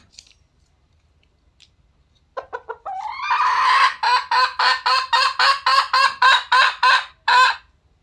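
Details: Red junglefowl, wild: a few short notes lead into a rising squawk, then a loud, harsh cackle of rapid repeated rasping notes, about three or four a second, ending with one final burst.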